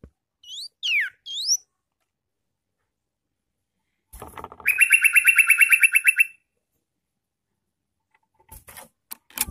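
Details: Sooty-headed bulbul in a recording made to attract wild bulbuls: several quick swooping whistled notes, then a rapid buzzy chatter lasting under two seconds, with scattered clicks afterward.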